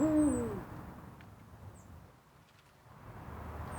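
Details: Near a backyard in rural Korea, close to a mountain where Eurasian eagle-owls (Bubo bubo) live, an eagle-owl gives one deep, short hoot that slurs downward, followed by quiet background hiss.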